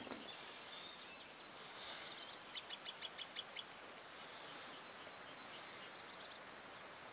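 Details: Green sandpiper at ponds in Buda Stalowska, Sandomierz Forest, Poland: a quick run of about six clear high whistled notes, each evenly spaced, over steady background hiss, with fainter similar notes before and after.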